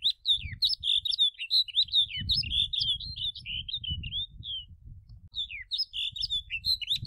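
Snow bunting song: a quick, warbling run of bright, twittering notes around mid-high pitch, pausing briefly before resuming, over a low rumbling background.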